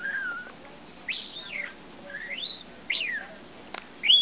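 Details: Pet parrot about five months old, taught whistles by its owner, gives a series of clear whistled notes: a level tone, then rising and falling sweeps and slurred upward glides, spaced about a second apart in a quiet room.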